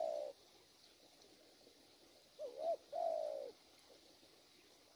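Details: Wild-caught spotted dove with a strong voice, kept for its cooing. It gives a short two-part coo, then a long, low, even coo about half a second later, followed by quiet background.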